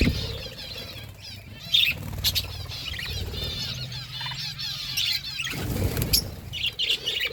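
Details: A flock of budgerigars eating food; a busy warbling chatter of squiggly chirps runs through most of the recording, with sharp wing-flapping bursts near two and six seconds and a steady low rumble underneath.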